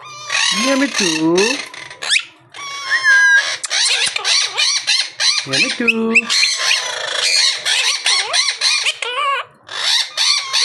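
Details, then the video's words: Talking monk parakeet producing a continuous run of raspy, voice-like syllables, some sliding low and others rising sharply, delivered in quick chattering bursts across the whole stretch. "Bolnay Wala Monk Parrot"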